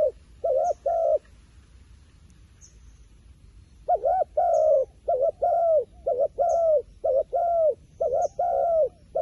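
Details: Wild pigeon, described as very smart and wary of a phone camera. Low hollow coos come in short bursts, a pair of notes, a pause, then a long run of quick coos. Faint high chirps sound above.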